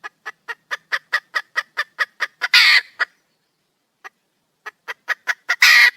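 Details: Red junglefowl female calling for a mate: quickening clucks lead to a harsh squawk, a near-silent gap with a lone cluck, then clucks rebuild into another squawk.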